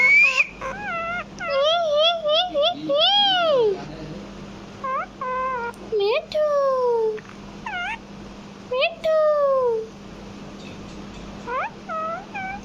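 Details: Pet parrot at home imitating speech: bursts of voice-like harmonic syllables mixed with swooping whistles that rise and fall steeply, separated by short silences, with a constant low hum underneath.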